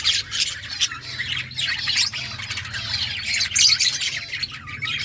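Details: Outdoor budgerigar colony: harsh squawks mixed with fast warbling chirps from many birds, steady overlapping flock chatter, louder toward the end, over a low hum.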